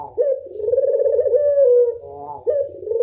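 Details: Local Barbary dove performing the classic 'angungan' coo, one long purring rolled note that sags slightly in pitch, ends in a brief tremulous drop, then a fresh coo starts abruptly.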